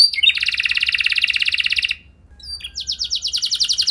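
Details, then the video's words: Canary giving a luxurious lure song meant to make any canary answer and sing: a fast, even trill held near two seconds, a short hush, then a higher, rapid run of bright repeated notes. "Langsung Nyaut Gacor Dor Kenari Mana Saja Dengan Pancingan Kenari Lagu Mewah Ini"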